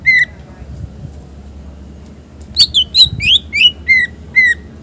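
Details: Chatty green leafbird song used as a prompt for other birds: an opening whistle, a quiet gap, then a rapid series of bright rising and falling whistled notes, each short and clear.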